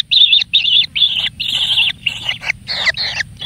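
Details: A single kingfisher chick pampered with plenty of food gives loud, harsh, buzzy begging notes in long bursts of about half a second, fairly high-pitched, with short gaps between them.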